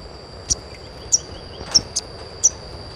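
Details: Five crisp, very high sogon chirps in three seconds, each a brief dropping note, played to prompt young birds to start singing. A constant whine sits in the background.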